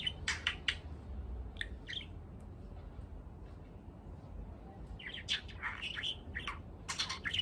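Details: Young male budgerigar, eight months old, kept indoors as a pet, twittering during speech practice: sharp high chirps in loose groups, sparse at first and then a denser run of rapid notes.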